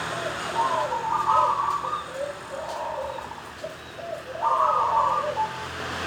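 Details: Local zebra dove (perkutut) of wild origin, singing steadily in the 'dor tak kowor-kowor' style with anggungan and ngorok ngowar phrases: soft, rolling, warbled coos in two bursts, the second louder. Faint background hum.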